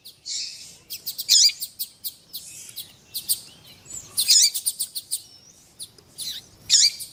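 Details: Male double-collared seedeater song and calling female, used to warm up a male's singing. Bright chirps and rapid clicking bursts alternate with short rough notes, all high-pitched, in irregular groups.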